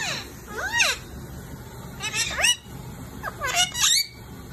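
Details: A pet Indian ringneck (rose-ringed parakeet) at lunch time gives harsh, arching screeches that rise and fall, in three quick bursts about every second and a half, over a faint steady high whine.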